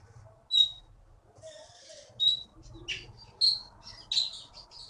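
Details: Keety (konin) songbird, a contest champion caught in Bangka's forest, giving sparse sharp high whistled notes spaced about a second apart, with soft buzzy trills and low background hum between them.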